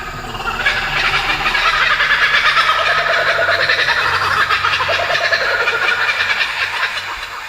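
Laughing Kookaburra giving its raucous, rolling laugh: rapid harsh chuckling notes that swell and run on without pause for several seconds.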